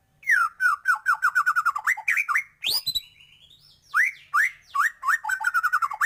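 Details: Lively white-rumped shama pouring out loud whistled phrases: quick descending note series, a sharp high upswept whistle, a brief pause, then more rapid repeated whistles and chattering notes.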